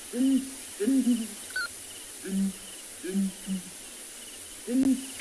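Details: A breeding pair of Southern Ground Hornbills, the male in focus, booms in duet at morning in Ngala Private Game Reserve, South Africa, 29 December 2020: deep hollow notes in twos and threes every second or so, over a faint insect hiss.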